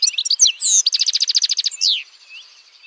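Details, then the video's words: European goldfinch song with sweet slurred whistles, a rapid rattling trill of about a dozen even notes, a clear descending slur, then a soft buzzy wheeze. "BIRDS VOICE : The European Goldfinch Bird"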